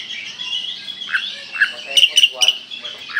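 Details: Kalimantan Oriental magpie-robin in energetic full-burst song: scattered slurred mid-pitched notes, then three quick sharp chirps in a tight series, with a faint steady background hiss throughout.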